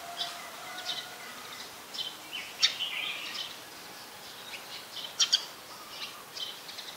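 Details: Brown-throated sunbird in Ubon Ratchathani, Thailand, 2 January 2021, recorded on a Nikon P1000: sharp, high chirps stand out near the start and middle over a steady hiss of insects and faint distant birds.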